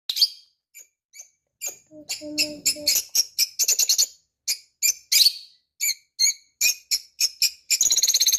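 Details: Pet parrot giving rapid bursts of high, harsh chirps and squeaks, with short pauses between runs, a brief lower tonal sound near the middle, and a dense buzzy rattle of calls at the end; indoor setting.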